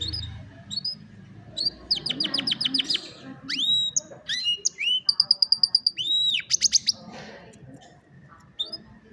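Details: Canary song used as training to get a lazy canary singing, recorded on a Redmi Note 9 or Realme Narzo 50A phone. The song is varied and high-pitched, with fast repeated chips, rolling trills and sharp upswept notes, over faint low background noise.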